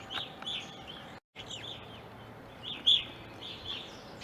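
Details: Several evening grosbeaks in an Ohio backyard, where they are uncommon and stayed from winter 2020 into April 2021, give short, clear, down-slurred chirping calls, overlapping, over steady background hiss.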